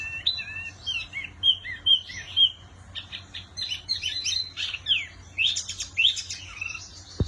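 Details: Varied chattering song of a Wambi Mini: slurred whistles and chirps at mixed pitches, some falling, others rising, in irregular quick phrases with short gaps, ending in a click, faint hum beneath.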